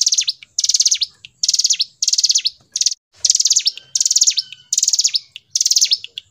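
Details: Gacor ngebren song of a hill prinia: repeated clipped bursts of high, rattling trill notes with a descending tail, eight phrases in quick succession and one brief short phrase midway.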